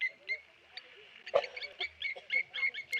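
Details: Blacksmith lapwings dive-bombing a Tawny eagle at the Okaukuejo Resort wildlife waterhole: a few sharp, metallic clinking notes, scattered irregularly over three seconds, with one lower, harsher note near the middle.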